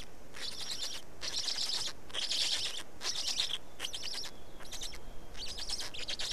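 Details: At a black stork nest in Estonia during feeding, 19 May 2019, 15:43, about a second of buzzy pulsed calling comes in irregular bursts, with a faint thin whistle in one of the gaps.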